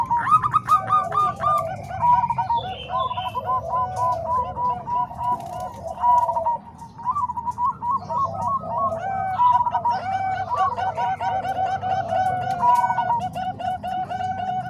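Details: Mixed Bangkok and Cemani Kolbuntet styles of zebra dove song, played to teach other doves: mellow bubbling coo phrases repeated and overlapping from several singers, with a low hum underneath.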